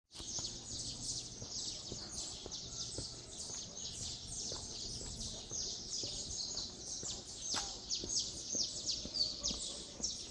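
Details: Saffron finches greeting the dawn in Resplendor, Minas Gerais, Brazil: a dense, overlapping chorus of high, bright chirps and trills pouring out almost nonstop, with faint low rural background hum.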